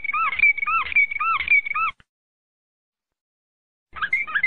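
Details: Bird singing a phrase used for tutoring young birds: clear paired whistles, a higher sustained note over a lower rising-falling one, repeated about every half second, then a two-second break before the phrase resumes.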